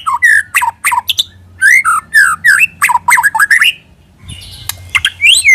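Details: Lure recording of a white-rumped shama delivering quick, loud whistled notes that swoop up and down, mixed with harsh chips, a short quiet gap, then more high, clear whistles.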